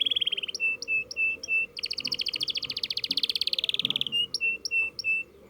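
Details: Canary learning to roll: clear high chirps repeated about twice a second, then a long fast rolling trill for over two seconds, gliding slightly downward, before the spaced chirps return. Faint low background hum.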